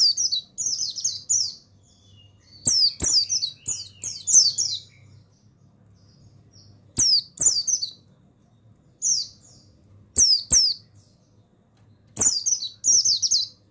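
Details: Pleci buxtoni (mountain white-eye) male therapy song: lively high twittering phrases, each slipping downward, delivered in irregular bunches about nineteen times a minute, with crisp clicking ticks scattered among them.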